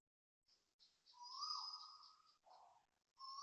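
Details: Loud Asian koel at 6:05 am on 5 November 2025, Toa Payoh Lorong 8, Singapore: rising whistled notes, one long drawn-out note swelling upward, then a lower note and another rising whistle, over faint background hiss.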